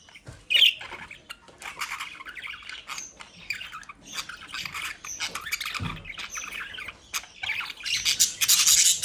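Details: Budgerigars kept by a breeder near The Hague, South Holland, Netherlands, described as lively and playful, giving busy overlapping high squawks, chirps and warbled chatter, with a sharp squawk near the start and a louder burst of calls at the end.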